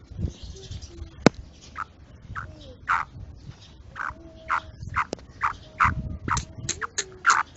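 Black francolin female giving harsh, grating notes in a steady series, about two each second, with a faint low whistle and background hum.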